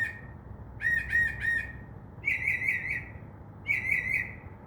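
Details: Northern mockingbird singing at night from a tree outside a window, mimicking other sounds: repeated phrases of three short harsh notes near the same pitch, then two longer warbled buzzy phrases, over steady low background hum.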